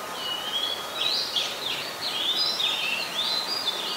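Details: Oriental magpie-robin, a very common resident, in Ubon Ratchathani, Thailand, on 26 December 2020: a continuous run of clear whistled notes, wavering and looping up and down, with steady low background hiss.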